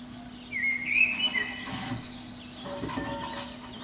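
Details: Eurasian blackbird, a protected species, singing from a pine treetop below a window at dawn in spring; a short mellow whistled phrase rising and falling opens the clip, followed by soft broadband rustling and faint background noise.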